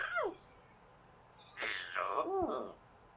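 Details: Pet Amazon parrot calling indoors: a falling whistled note, then a harsh burst and a run of looping, speech-like wavering sounds that rise and drop in pitch.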